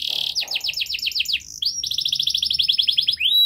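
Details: Canary with a long, tightly packed training song for young birds: a buzzy note, a fast trill of repeated descending notes, a short pause, then a rapid high rolled trill ending in a whistle.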